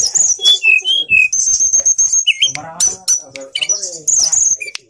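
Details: Grey bushchat, a privately owned bird, singing actively: a fast, varied jumble of high chirps and twitters. Clear downslurred whistles and short buzzy trills are mixed with lower rattling notes. No other sounds stand out.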